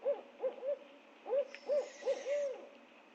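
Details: Barred owl family recorded in a backyard in Georgia by a wildlife camera; a low hooting run of short notes, several quick hoots in rapid succession ending on a longer drawn hoot, with a faint hiss in the background.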